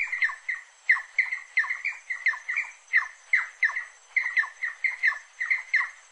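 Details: Rufous-necked wood rail song, dense and loud: harsh squealing, squawking notes with falling tails, rattled off in a nearly continuous run of paired and tripled calls throughout.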